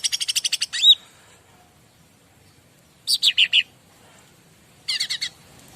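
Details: Bar-winged prinia song used as a master recording to make other birds respond: a fast run of about eight buzzy, high notes ending in a clear upslurred whistle, then two later bursts of three to four rapid descending chirps over quiet background.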